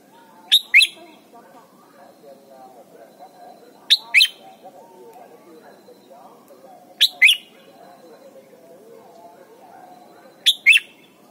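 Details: Red-whiskered bulbul in Thailand, a recording meant for teaching young birds to sing. Four short, bright, sharp chirping phrases, each under half a second, come roughly every three and a half seconds over a faint, low, murmuring background.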